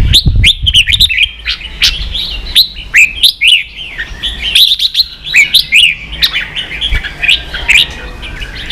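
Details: Red-whiskered bulbul delivering ché song for training young birds. A busy, nearly continuous stream of lively whistled warbles rises and falls, with a soft thump near the start.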